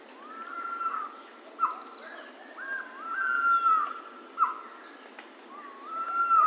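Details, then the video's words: Pavonine quetzal song of clear whistled notes, each rising quickly then held and easing downward, given about every second or two, with some fainter overlapping whistles behind. "Canto do pássaro quetzal-pavão"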